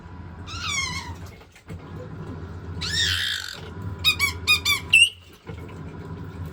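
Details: White-bellied caique kept as a pet, thrilled by the washing machine and the sound of water, lets out a squeaky call, a rough noisy screech, then a rapid run of sharp squawks over low indoor machine rumble.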